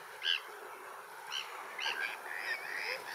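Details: Bonaparte's gulls in breeding plumage doing a courting display on the shore, until waves wash them away, give short, harsh, raspy calls about every half second to one second over a steady hiss of surf.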